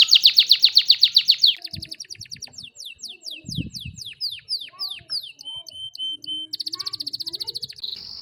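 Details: A canary's song opens with a loud fast trill, then moves into a series of slurred downward whistles and steady held notes before ending in another quick rattling roll; faint low background noise.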